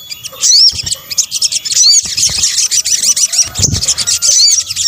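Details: Lure mix of sunbird (sogok ontong) calls: a continuous, crowded chatter of very high, thin notes with short upslurred whistles, and a brief low thump near the end.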